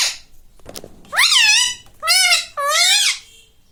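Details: Green ringneck parakeet kept as a pet, talking indoors: three loud, drawn-out, nasal, voice-like phrases, each with wavering harmonics and a rise then fall in pitch, after a faint softer opening.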